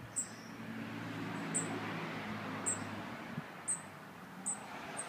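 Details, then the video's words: Cuban bullfinch gives short, very high, thin notes, about one each second, over a steady low mechanical hum. "Negrito de Cuba cantando"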